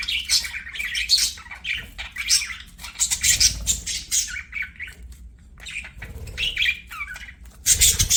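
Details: Singing budgies while playing: bursts of harsh squawks and twittering warbles alternate with short gaps, a few clear looping whistles near the end, and a loud scratchy burst to finish.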